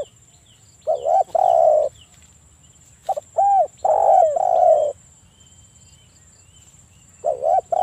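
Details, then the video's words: Provoking calls of a spotted dove in breeding condition, used to spur other doves to call: clusters of deep, rounded coos, a long drawn-out cooing phrase, then quiet gaps; a thin constant high hum persists. "PANCINGAN TEKUKUR AGAR BUNYI (EJEKAN MENTAL BIRAHI PEMICU BUNYI)"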